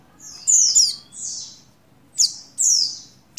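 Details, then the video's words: High, bright falling chirps from a female buxtoni Oriental white-eye in breeding condition summoning the male, a few sweeping notes separated by brief pauses. "Call Burung Pleci Betina Birahi Memanggil Jantan"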